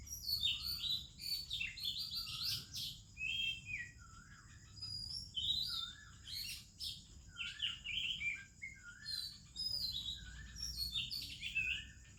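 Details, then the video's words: Morning chorus in India led by an Oriental magpie-robin: repeated rich whistled phrases and twittering chirps roughly every second, mixed with lower notes from other birds singing nearby. "ROBIN Chirping in the Morning"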